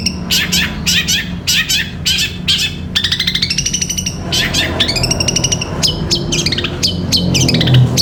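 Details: Long-tailed shrike with 'gereja petir' style song for training caged birds: harsh chirp bursts, then a fast trill of rising notes and sweeping whistled phrases, low rumbling noise behind.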